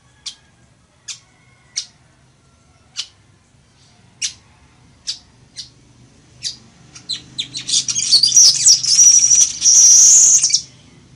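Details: Weaver song for teaching birds to sing: a long run of high chips, gradually quicker and louder, building into a harsh, sizzling buzzy trill of about three seconds.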